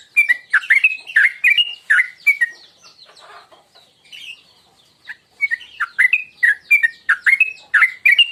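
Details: Sooty-headed bulbul in tuklik tuklik ngingklong style, a lure call to provoke singing: quick chains of gurgling, slurred notes, a softer pause midway, then another rapid series of similar notes.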